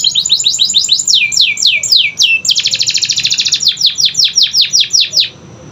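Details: Canary singing meant to rouse silent birds: a steady run of falling whistled sweeps, a dense rapid trill, then more descending slurs that fade out.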